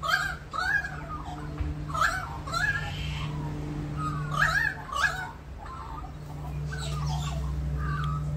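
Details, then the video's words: Backyard Australian magpies sing in the rain in Australia, rich gurgling, yodel-like warbled notes in broken phrases, with a constant low hum and rain hiss behind. "Singing magpies in our backyard during rain"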